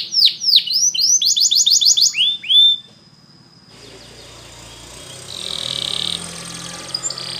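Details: Canary training song with bright down-slurred whistles and a fast trill for under three seconds, followed by quiet background and a faint distant buzzy roll.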